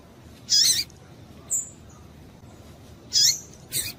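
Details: A female double-collared seedeater calls to rouse males: two rich, slightly buzzy high chirps about 2.5 seconds apart, a thin whistle between, and a final short chirp.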